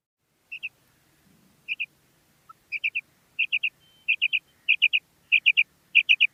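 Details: Calling female common quail: begins with paired high notes, builds into a regular series of quick three-note phrases, each bright and clipped, about one every second-and-a-half at first then faster.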